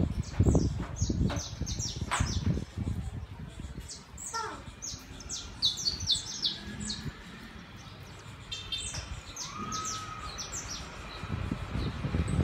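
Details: Saffron finch singing in the city, from a tame pair visiting a terrace: a dense stream of high, short, falling chirps mixed with a longer whistled note, low thumps and faint voices.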